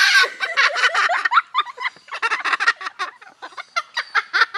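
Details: At Parrot Mountain, Pigeon Forge, Tennessee, a captive umbrella cockatoo mimics the laughter of visitors, giving loud, dense chains of choppy ha-ha notes that pause briefly and then resume.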